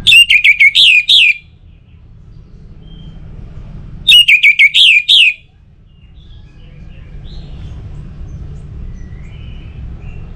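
An Orange-headed thrush sings two quick, high phrases of about six sweet, slurred notes each, four seconds apart, over a low background rumble.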